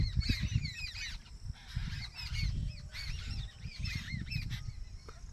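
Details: Birds in a village: clusters of short upward-sweeping chirps repeated in quick series, over a heavy low rumble of background noise.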